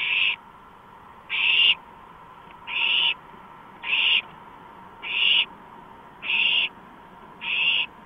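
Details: A porch owl, recorded 5 April 2015 at 2:05 in the morning, utters a loud series of rasping hisses, eight short bursts roughly one second apart, over a quiet humming background.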